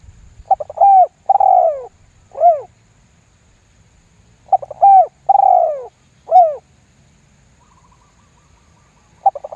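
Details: Spotted dove cooing in the 'lambung guk' lure style used to provoke other doves: two repeated phrases, each a stammered start, a long burry coo falling in pitch and a short terminal note, with a third phrase starting at the end.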